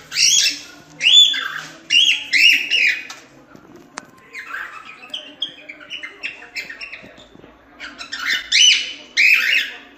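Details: Cockatiel producing harsh, loud squawks in bursts, with softer chattering notes between, repeated over ten seconds.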